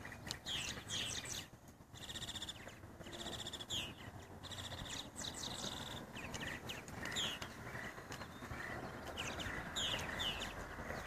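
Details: Purple Martins at bird houses in Edmond, Oklahoma chatter in a steady stream of gurgling, liquid chirps and croaks, several birds calling at once over a low background hum.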